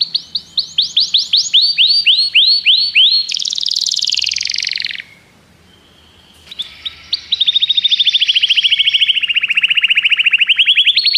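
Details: Common canary song with rapid rising upswept notes in a series, a dense buzzy roll, a short silence, then a long steady trill of quick repeated chirps.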